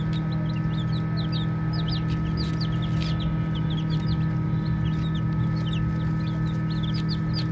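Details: Short bright peeps from baby chicks playing, scattered unevenly through the stretch, with a few louder notes near the middle and a steady deep hum beneath.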